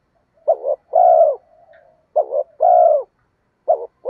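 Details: Spotted dove lure cooing: two full phrases of a wavering double note followed by a long, smooth descending coo, a soft low murmur between them, and a third phrase just beginning at the end.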